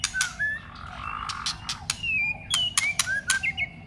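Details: Contest-trained White-rumped shama giving loud clicks, a low buzzy phrase, then a series of clear whistled slurs, some rising, some falling, toward the end.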